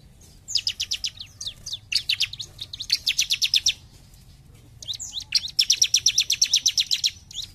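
A Bar-winged Prinia sings bright, high, sharp notes in fast rattling runs of about eight to ten, with short pauses between runs, over a faint low hum.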